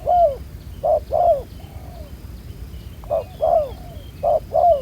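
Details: Spotted dove with a black-spotted neck collar, wild-caught, cooing at a ground decoy trap. Low hollow coo pairs, the second note longer and falling, separated by gaps of over a second.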